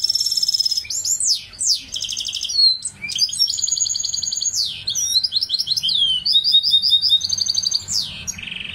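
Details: A goldfinch hybrid (mule) delivers a continuous bright song of mixed elements: a sustained whistle, then a jumble of liquid trills, buzzes, rising and falling slurs and rapid chattering runs.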